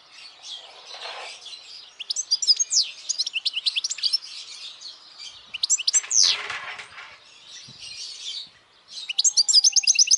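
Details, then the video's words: A European goldfinch at Benalup-Casas Viejas, Spain, sings a rapid, tinkling jumble of high twitters, liquid trills and buzzy notes, broken by brief pauses. "El canto del jilguero"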